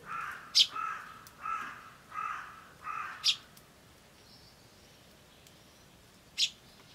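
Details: A crow calling somewhere in the distance gives four harsh, hoarse caws, one every second or so, while feeble, sharp, high chirps of a sparrow chick cut in now and then; recorded 21 May 2013.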